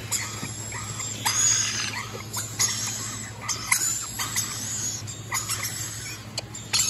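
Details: Rainbow lorikeet giving harsh, grating screeches in short bursts, about one every second or so, each burst broad and noisy, with a faint steady low hum behind.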